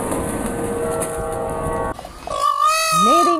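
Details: A peacock (Indian peafowl) gives a loud, nasal, wailing call that slides up and then down, after nearly two seconds of hissy background with faint music.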